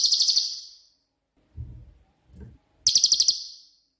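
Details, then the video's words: Cililin (pygmy tit), a bird with a 'tembakan' style song used as a master recording to train songbirds, gives two bursts of very high, rapid, buzzy trilled notes, with faint low thumps between them. "BURUNG CILILIN COCOK UNTUK MASTERAN"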